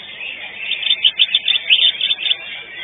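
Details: Greater green leafbird (cucak ijo) singing in a bird song competition on 19 March 2022, placing fourth: loud, bright, chattering whistled phrases in quick bursts, with a constant murmur of crowd and other birds behind.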